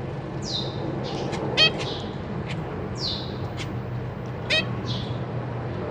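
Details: Zebra finch family in a cage, parents feeding newly fledged young, 14 April 2023. Thin downslurred whistles about every one to two seconds, with two louder nasal calls, over a steady low hum.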